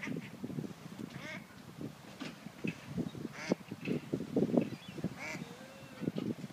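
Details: A group of ducks gives a steady stream of hoarse, nasal quacks in short bursts, with a few louder calls and one brief drawn-out note near the end.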